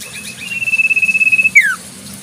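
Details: One song phrase of a wild Common Iora: a long, pure whistle on one pitch that breaks into a quick falling note.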